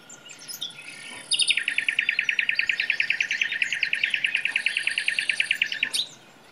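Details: Common nightingale in a forest: after a quiet start, a loud rapid trill of repeated notes bursts in and runs for nearly five seconds before stopping abruptly, with faint high chirps around it.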